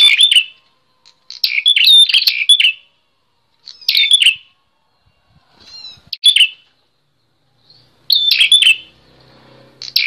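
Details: Constantly singing bar-winged prinia, suited to teaching and provoking young songbirds: a series of energetic high chirping phrases, roughly every two seconds, with quiet gaps and a soft low rumble near the end.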